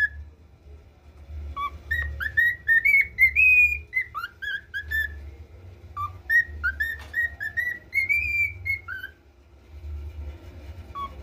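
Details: Pet cockatiel learning to whistle the national anthem: a melodic run of clear whistled notes, each rising or sliding, with short pauses between phrases, over a low steady hum in the room.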